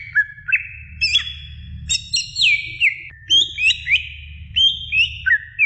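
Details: Greater green leafbird song recorded to train other birds, a lively mix of rising whistles, high piercing notes and looping slurs delivered in quick succession, over a low constant hum.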